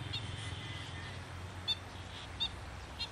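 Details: Black-winged stilt calling in wetland habitat: brief, clipped high notes, three in quick succession near the end, over constant low rumble and hiss.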